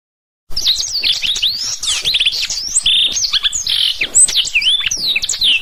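Black-throated canary singing a fast, continuous run of high, sweet whistles, slurred chirps and trills, with barely a pause throughout.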